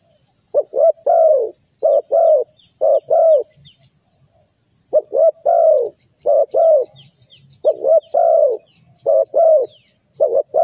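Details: Trapping-lure spotted dove cooing repeatedly: short paired notes leading into a longer mellow coo, phrases coming in quick succession with faint high chirps from other birds behind.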